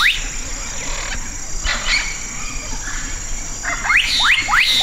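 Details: Black-capped donacobius singing: three sharp upslurred whistles in quick succession near the end, after fainter calls, over a steady insect hiss and busy background.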